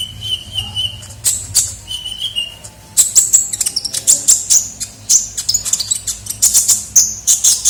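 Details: Kolibri ninja sunbird lure recording: two level whistled notes at the start, then a long busy stream of sharp high chirps and quick ticking calls.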